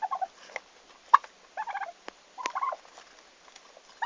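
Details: Newly arrived farm turkeys, 11 August 2015, produce brief rattling call bursts separated by clicks and knocks, roughly one burst every second.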